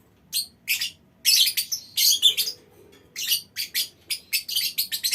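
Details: Several lovebirds in a small aviary chirping and squawking: short, shrill, buzzy notes repeated in quick irregular runs, a louder cluster in the middle, brief quiet gaps between series.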